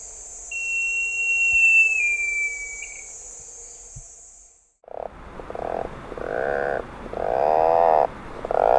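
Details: Atlantic Puffin giving low, rasping growls like a revving chainsaw or old motorcycle, in rapid pulsed phrases, a communication call made by both sexes; a thin, slightly falling whistle and a steady high hiss come before it.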